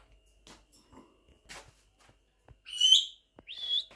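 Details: A pet Monk (Quaker) parakeet checking a new nest box indoors gives two harsh, high chirping squawks near the end, the first loudest, after faint clicks and soft household sounds.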